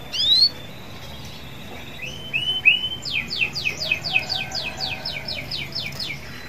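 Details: Canary singing, kept to prompt other canaries into song: a few rising whistled notes, then a fast series of repeated downward-sweeping trilled syllables over faint background hiss.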